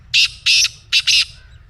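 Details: Captive black francolin's harsh call, played so that a pet francolin begins calling: four raspy, grating notes in two pairs, the second pair closer together, over soft low hum.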